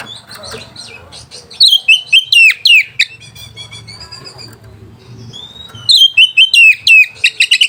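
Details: Song of a white-rumped shama meant to trigger rival birds and mating arousal: soft scattered notes build into loud rapid downslurred whistles, a softer varied warbling passage, then another energetic run of sharp repeated notes.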